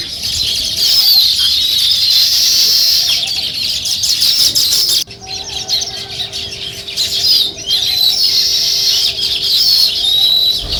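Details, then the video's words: Sparrows chirping in the morning near weaver birds building nests: a dense, continuous chatter of high, buzzy chirps and twittering from many birds, briefly dropping away midway before resuming. "Sparrow Morning Chirping Sounds"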